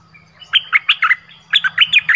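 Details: Orange-headed thrush song played to lure wild birds, two quick bursts of sharp, clear whistled notes mixed with slurred chirps, each burst of four or five notes, loud and close in a quiet setting.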